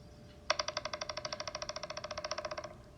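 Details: Pileated Woodpecker (Dryocopus pileatus) drumming a steady roll of about twenty-five ringing, evenly spaced taps over two seconds on dead wood, drilling holes to look for insects or to make a nest; faint hum behind.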